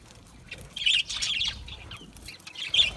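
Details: Budgies giving a short flurry of bright, squeaky chirps after a quiet start, fading to soft chatter and ending with one sharp high note.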